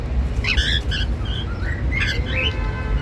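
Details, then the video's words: A male and a female normal grey cockatiel giving happy sounds: bright, clipped chirps and short upslurred whistles in quick clusters, with a brief pause midway, over a low background hum. "Cute Male & Female Normal Grey Cockatiels Making Happy Sounds"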